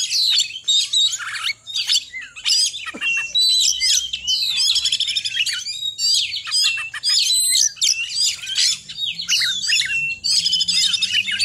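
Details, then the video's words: Oriental magpie-robin in full song, a dense, nearly continuous stream of high chirps, rattles and whistled slurs, rapid and varied, with only short breaks and a faint low hum underneath. "kacer gacor ngekek pendek-pendek"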